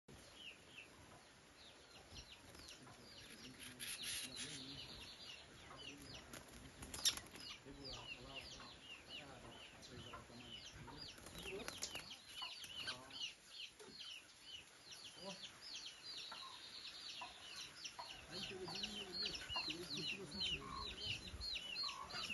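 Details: Lined seedeater (Sporophila lineola) song: a rapid, high, dense series of chirps and buzzy trills running continuously.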